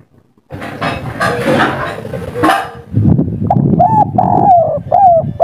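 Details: Local spotted dove in kuk 3 style, singing full of energy: soft, gently falling coos emerge over low rumbling noise after a burst of clattering sounds.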